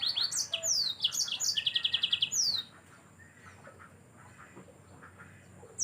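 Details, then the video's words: Yellow-fronted canary singing steadily, suited to tutoring cage birds: sharp sliding whistles lead into a rapid, evenly spaced trill of bright notes, then near silence with faint low background noise. "Mozambik anda pasti ikut Gacor"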